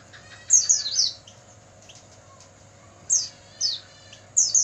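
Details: Night recording of Oriental white-eye song for training caged birds: sharp, high downslurred notes in short clusters, then several seconds of quiet before single and paired bright chirps return, over a faint steady hum.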